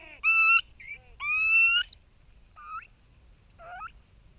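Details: Bermuda petrels (cahows), both parents together in an underground nesting burrow on Nonsuch Island while incubating an egg, 29 January 2019: two long, high, rising nasal wails, then shorter, fainter upslurred notes, over a low background rumble.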